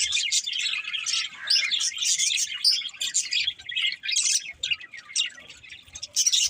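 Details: Several budgies warble and chirp in a dense, scratchy chorus of high notes, easing slightly toward the end before rising again.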